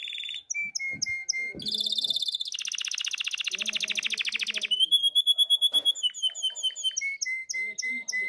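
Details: Canary in breeding condition singing loudly to attract a female: varied tours of clipped whistles, a fast buzzy pulsing trill, bright repeated notes and ringing rolls, changing pitch every second or two.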